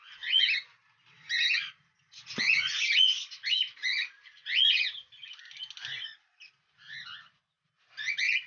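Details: Lovebirds breeding in a colony with cockatiels give sharp, grating chirps about once a second, irregular and sometimes doubled, with a brief click partway through.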